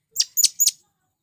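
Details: Three short, shrill, slightly rasping high notes from a male blue-crowned hanging parrot calling to its companions and to wild birds.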